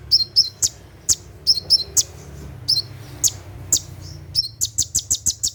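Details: Brown-throated sunbird singing in 'tembakan' style at night, a recording for training caged birds. Twin falling whistles and single sharp ticks are repeated, ending in a fast high burst.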